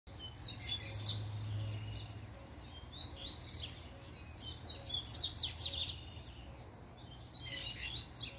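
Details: Caged double-collared seedeater singing excitedly after a female appears, bursts of rapid high warbled and trilled notes with sharp downward strokes, in phrases about two seconds long separated by pauses, over a steady low hum.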